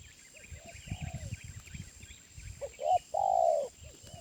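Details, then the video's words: Wild spotted dove with a mid-pitched voice. Quiet coos sound amid low thumping noise and busy twittering of small birds, then a clear short coo and a longer loud coo near the end. "Tekukur Liar // Suara Menengah"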